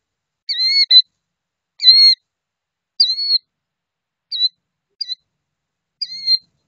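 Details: Adult killdeer tending her hatchlings calls repeatedly, a shrill, slightly falling two-part note roughly every second, six calls in all, some clipped short, no other sounds.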